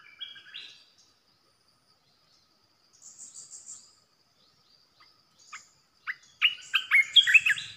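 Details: Red-whiskered bulbul decoy song meant to provoke other bulbuls: a few whistled notes, a stretch of faint high pulsing, then a loud burst of fast, chirpy warbled notes.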